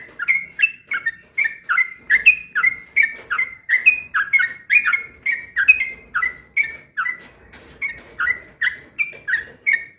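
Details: Yellow-vented bulbul (trucukan) singing in the gacor, slow 'ropel pelan' style, used as a lure to provoke other trucukan to sing; a steady, unbroken run of bubbly, slurred chirps of middling pitch, about three per second, with no other sounds.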